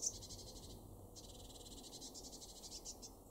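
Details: Eurasian blue tit in a garden in Weener, East Frisia, northwestern Germany, February 2023: two bursts of rapid, scratchy, high-pitched pulsed churring with a short break between them, over a low background hiss.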